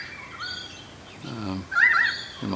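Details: Currawongs in trees at Cromer, Sydney, chorusing as a storm approaches; one gives two loud whistled notes, each rising then falling, in quick succession, with a man talking just before and a low background hum.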